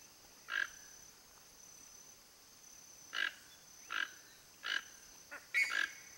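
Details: A Toco toucan keeping watch around its nest in Brazil gives short, harsh croaking calls, about six in quick succession and closer together at the end, over a steady high insect hum.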